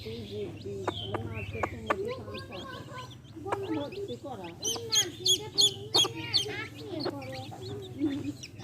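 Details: Hen with her baby chicks: low, wavering clucks with a burst of high, thin chick peeps in the middle, over a steady low hum.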